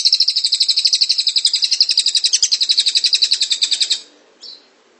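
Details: Rolling cililin song, called ngrol: one long, steady, high trill of rapid pulsed notes running for about four seconds, followed by a single short squeak.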